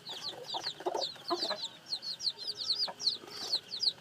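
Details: Newly hatched chicks produce shrill, looping peeps that drop in pitch, about three a second, mixed with softer, lower chirps early on.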